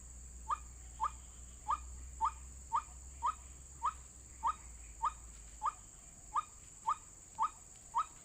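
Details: White-breasted waterhen lure recording used for bird trapping: a string of about fifteen short, sharp, upslurred notes, close to two per second, with a low hum early on and a continuous high hiss.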